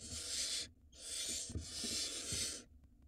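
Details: Barn owls at an Israeli nest camera, 2022, while a mouse passes from father to mother for the nestling. Three long, loud, raspy hisses with short gaps between them, and light knocking sounds underneath.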